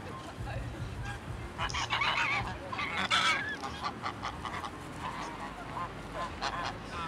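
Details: Angry group of geese, with a male goose going crazy, honking and screaming: loud harsh nasal honks in overlapping bursts, strongest around the middle, over a steady low background rumble.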